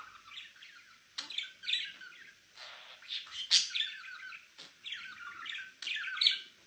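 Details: A male pet budgerigar chatters in repeated bursts of scratchy, high chirps and warbled squeaks, phrases broken by short gaps.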